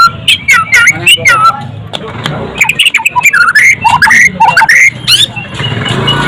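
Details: Murai batu, the white-rumped shama, delivering varied whistled phrases with rising and falling slurs and quick harsh notes, loud and continuous over low background noise.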